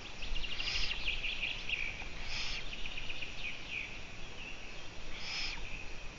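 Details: Live camera recording of a Eurasian eagle-owl at 04:49 on 14 June 2017: three harsh hissing screeches spread over six seconds, accompanied by a faint buzzy trill and constant low noise.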